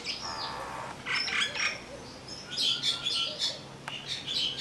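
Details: Calls of a common myna at Vryheid in KwaZulu-Natal, South Africa, on 12 December 2007: loud harsh chattering phrases of mixed gurgles and squeaky high notes, delivered in several bursts with brief pauses between them.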